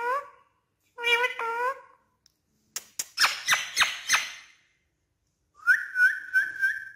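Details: A pet parrot that speaks Urdu, heard indoors in a small room: harmonic vocal syllables in short bursts, a run of sharp squawky notes, then a sustained whistled tone with rapid warbles.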